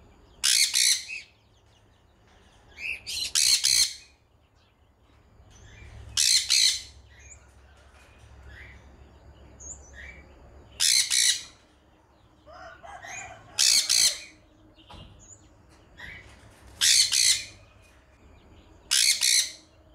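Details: Sun conure calling over and over with harsh, piercing double screeches every two to three seconds. Softer short chirps and squeaks fill some of the gaps.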